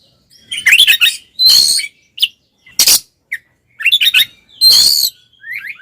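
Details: Oriental magpie-robin in fighting song, meant to provoke other males into anger: harsh broadband squawks and short whistled notes in bursts, some with rasping buzzy texture, gaps of silence between phrases.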